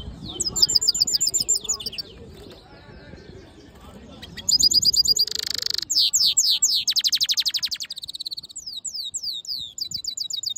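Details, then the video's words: Black-hooded yellow siskin mule hybrid in captivity singing rapid repeated metallic notes, a buzzy rattle and a series of falling whistles, with a quieter, noisier passage early on. "Black HOODED yellow siskin mule | Cabecita negra CD | Carduelis singing"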